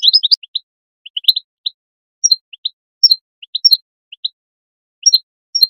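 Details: European goldfinch call song intended to stimulate singing in goldfinches: an opening flurry of bright chirps, then evenly spaced pairs of sharp tweets, several led by a high thin whistle, against silence.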